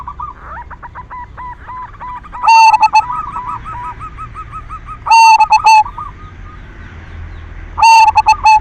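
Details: Zebra dove of the silver variety, a lure song meant to stir other doves into singing: loud phrases with a sharp, clipped burst and a steady mid-pitched coo, about every three seconds, over a constant backdrop of rapid fainter bird notes.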